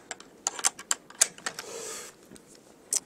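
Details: Sharp, irregular clicks and taps like keyboard typing, with a brief soft rustle and no animal voice.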